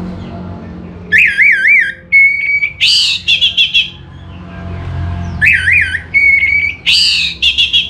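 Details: Orange-headed thrush (anis merah) in full song: a strong phrase of rolling, wavering whistles, then a steady flat note and a burst of rich buzzy chatter, the whole sequence repeated twice with short pauses.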